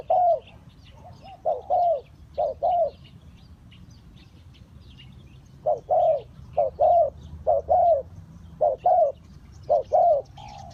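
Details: Spotted dove calling, used to lure wild birds for trapping. Low, soft, hollow coos come in paired and tripled phrases, repeated after pauses of several seconds, over a faint low rural hum.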